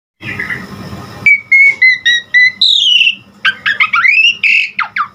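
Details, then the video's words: Asian pied starling song used to train and stimulate caged birds; a soft noisy start, then clear whistled notes held steady, followed by rising and falling whistled sweeps and short sharp notes in a quick varied run. "Pancingan Jalak Suren GACOR Variasi Ampuh Buat Masteran Suara Burung Jalak Agar Tambah GACOR Isian"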